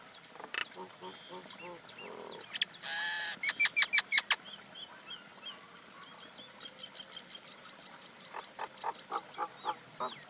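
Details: Common Indian myna giving a varied run of calls: harsh rasping bursts, a gurgling note, then loud sharp clicks and whistles, followed by softer repeated chattering notes.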